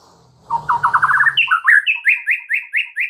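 White-rumped shama song: a fast trill of about eight mid-pitched notes, then a steady run of sharp, higher whistled notes, about four each second.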